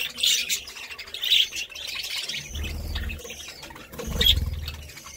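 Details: Budgerigar chatter: bursts of high, scratchy chirps and warbles at the start and again near the four-second mark, with a low rumbling hum between them.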